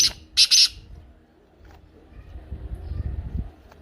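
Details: Kala teetar (black francolin) sound for prompting a pet francolin: two brief, harsh, scratchy notes right at the start, followed by a faint low murmur.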